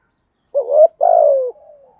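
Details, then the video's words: Single spotted dove phrase in the thúc gù cooing style for luring wild doves: a brief rising warble, a pause, then a longer falling coo with a soft trailing tail. "Tiếng chim cu gáy thúc gù bài vở nhất hiện nay, chim cu gáy dùng kích bổi rất hiệu quả"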